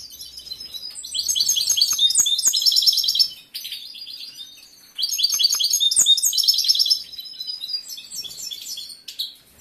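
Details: Breeding-condition male European goldfinch, a caged competition bird with a wide repertoire, pours out two loud bursts of quick, liquid twitters and buzzy trills, followed by softer scattered notes.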